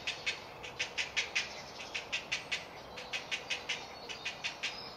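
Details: Great blue heron chick at a woodland nesting colony in Delft, the Netherlands, begging hungrily for food: short dry ticks in a loose, steady series, roughly one per second, over quiet background hiss.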